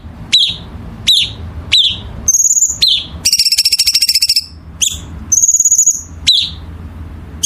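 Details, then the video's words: Songbird for masteran song training: a series of quick downward-sweeping chips about one per second, broken by high level whistles and a dense rattling trill, with a soft low hum behind. "Masteran Burung Gacor"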